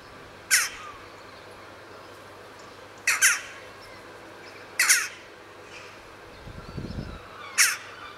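Western jackdaws give short, sharp 'tchak' calls, four bursts spaced about two seconds apart, some doubled; a brief low rumble sounds near the end.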